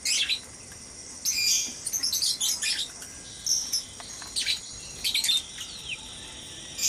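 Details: Caged white-rumped shamas calling noisily at dawn in a breeding enclosure: clusters of high chirps and whistled notes come in bursts separated by brief gaps, with a faint steady high hiss throughout.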